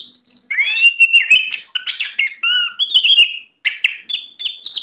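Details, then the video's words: Song of a tame oriental magpie-robin: continuous lively sequence of bright whistled notes, slurred chirps and short harsh elements in quick succession, with brief gaps between phrases. "Video Burung Kacer Jinak"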